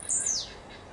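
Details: Singing blue-black grassquit gives one brief, thin, high-pitched note that slides steeply downward, a quick buzzy descending slur over faint steady background noise.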